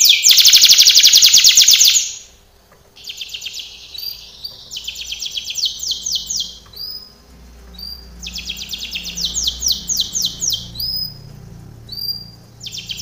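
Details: Loud two-second burst of extremely rapid trilling from a singing canary, followed by quieter intermittent trilled phrases separated by gaps; training song.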